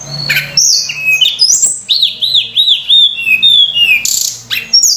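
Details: Loud Sunda robin lure song for training other birds: a buzzy burst, then a run of five or so repeated arched whistled notes, followed by a descending whistle and a harsh buzzy chirp.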